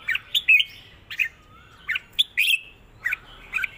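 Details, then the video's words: Red-whiskered bulbul kept as a cage bird singing the southern Thai master song pattern used for teaching birds, mixed with chattering notes: short warbled phrases around two to four thousand, with sharp clicky bursts and a brief gliding whistle. "ร้อง+ริก เพลงใต้แม่บทชัดๆ วนเพลงสวย(ไว้สอนนก)#นกกรงหัวจุก"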